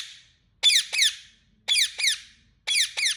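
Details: Harsh doubled chirps from an Indian ringneck parrot, two rasping descending notes close together, repeated three times about a second apart, with near silence in between.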